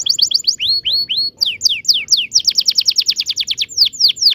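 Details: Canary singing a long rolling song: rapid series of high, sharply falling whistled notes, some slower swooping phrases, then a fast trill of repeated downslurs.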